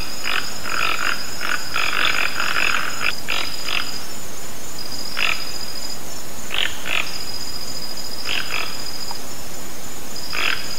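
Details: Toco toucan in nature giving a quick burst of rough, grating croaks in the first few seconds, then single croaks or pairs every second or two. A constant high, thin buzz runs behind.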